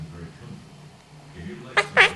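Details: A pet monk (Quaker) parakeet practicing words and phrases talks, with soft muttered speech-like sounds, then two sharp bright kissing or squawking notes in quick succession at the end.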